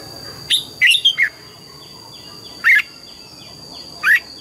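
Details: Red-whiskered bulbul giving morning song in the double-note mature wild style: a quick run of four chirpy whistles, then two single clear notes about one and a half seconds apart, with a thin steady whine.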